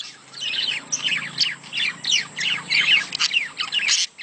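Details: Budgerigar breeding calls, played to stimulate pairing: steady chattering warble of sliding chirps and squawks, rising and falling in waves about every half second, over a faint low hum.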